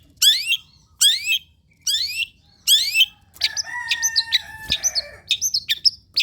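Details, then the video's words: Long-tailed shrike song, played to get other birds singing: four harsh, scratchy downslurred notes about one per second, followed by a busy stretch of thin whistles and chattering phrases over a faint steady tone. "PANCINGAN CENDET SUSAH BUNYII, DIJAMIN GACOR DENGAR SUARA CENDET INI"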